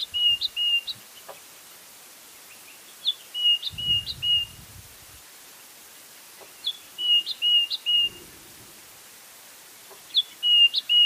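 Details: White-browed scrub robins calling, this bird giving its own variation of a phrase repeated over and over: clipped high whistles and quick rising flicks in groups of about five, every three to four seconds, faint low thumps between.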